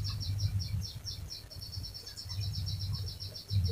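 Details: Long rolling canary song meant to prompt other canaries to sing: quick high notes repeated in an unbroken chain, fairly soft, with a low droning hum rising and falling underneath.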